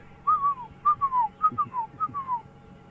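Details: Red-crested korhaan calling in the background on a calm, beautiful evening with a slight breeze at a safari reserve: clear, mid-pitched whistled notes, each a short note then a longer falling slur, repeated about every half second over a faint low rumble.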